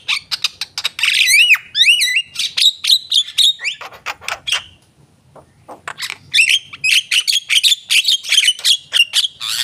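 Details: Javan myna, a kept bird described as being in full song, with rich filler notes and a yellow eye; a busy run of harsh squawks, rising whistled slurs and rapid chatter, pausing briefly midway before the chattering resumes.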